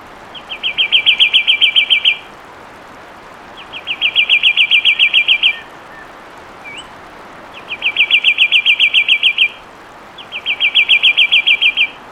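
Fulvous Wren song: four bright, rapid trills of high notes, each about a second and a half long, repeated every few seconds over faint background hiss.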